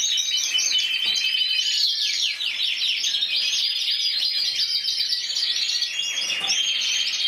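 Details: Spain's 2014 champion canary, intense yellow, judged individually at 94 points: a nonstop cascade of fast high trills and twittering rolls, changing tempo as it flows, with no pauses.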